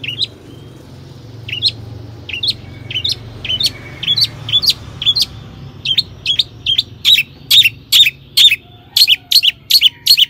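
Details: Long-tailed shrike singing actively, used to make other shrikes sing: spaced sharp high notes quickening into a steady rapid series of loud downslurred chips, about two or three per second.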